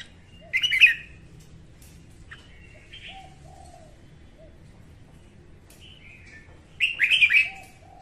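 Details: Female red-whiskered bulbul singing in the morning, kept as a lure to train birds and draw them to traps: two short bursts of bright warbled phrases, well apart, with quieter chirps between and low murmuring background.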